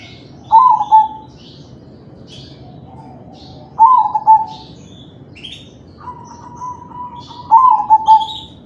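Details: Zebra dove, a crossbred bird in kalung tempuk style, whose song lures other doves into singing: three rolling, warbled coo phrases spaced a few seconds apart, with scattered thin chirps from small birds in the background.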